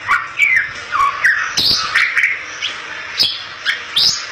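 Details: Bali myna, a rare protected songbird, singing to lure others of its kind; loud swooping whistles alternate with buzzy harsh bursts and sharp ticks, roughly two phrases a second.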